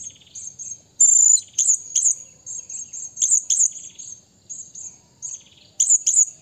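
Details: Blue-crowned hanging parrot calling a rival: thin, very high-pitched squeaky notes in quick series, broken by sharp shrill bursts near the start, middle and end.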